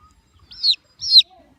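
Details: Baby chicks chirping: two loud high-pitched peeps, each a short downward-sliding whistle, with quiet low rustling between them.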